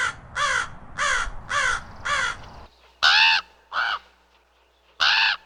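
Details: Common raven giving a run of five rough, croaking caws in quick succession, then three louder, harsher croaks separated by short pauses, in a quiet setting with faint low hum.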